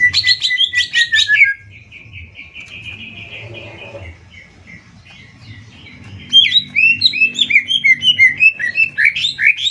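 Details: Greater green leafbird in a singing contest, Banyuwangi versus Kalimantan: an opening burst, a series of soft repeated notes fading to a quiet stretch, then a sudden fast run of sharp chattering whistles.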